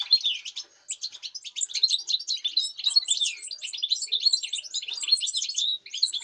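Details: Continuous European goldfinch song from 05.08.2019, a fast, unbroken stream of sharp, high twittering and rolling notes lasting throughout.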